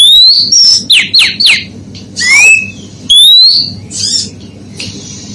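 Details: Female oriental magpie-robin calling to provoke males: loud whistled notes rising from about mid to high pitch, quick downslurred chips in a short burst, and a sweeping upslurred whistle, with a steady low hum underneath.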